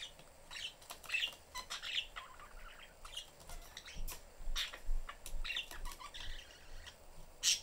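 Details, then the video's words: A family of pet budgerigars in a cage with the door open: father, busy mother and a young bird seeking attention. They chirp and chatter in short, scratchy, overlapping bursts at an uneven pace, with a low steady hum underneath. "family budgies in cage/chriping, mom is busy, kid looking for attention."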